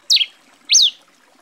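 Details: Two bright, high chirps from a grey pileated finch (tico-tico-rei-cinza) in Brazil, the first dropping in steps, the second rising sharply then sliding down, half a second apart.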